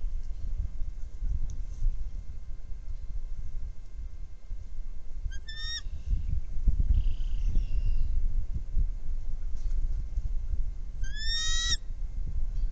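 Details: Nest-camera recording of a bald eagle from a trio at its nest: two separate bursts of shrill, thin, quickly repeated chittering notes several seconds apart, with constant low wind noise.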